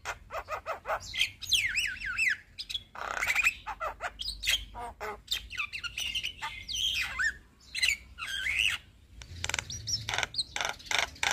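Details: Captive black-winged starling song used as a lure for stressed, silent birds; a rapid, varied medley of harsh clicks, chatters and looping whistled slurs, rising and falling, nearly continuous throughout.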